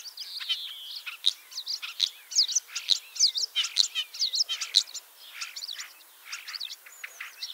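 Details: Common starling, a ringed male-or-female bird banded in Lithuania and returning for its third spring to Liepāja, Latvia, arriving 25 March 2023; dense, rapid medley of clicks, buzzy rattles and short whistled notes tumbling over one another without pause.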